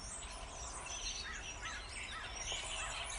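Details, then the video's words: Massed starling song: dense overlapping squawks, clicks and shrill whistles pour out nonstop, loud and high, with faint low background noise throughout. "Bird songs - Mind boggling sound of starling."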